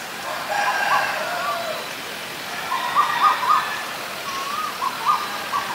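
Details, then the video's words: Asian koel male and female calling: a harsher burst early, then a run of short, clear, upslurred notes repeated quickly, over steady background hiss. "นกกาเหว่าตัวผู้และตัวเมีย (Asian koel, Male, Female)"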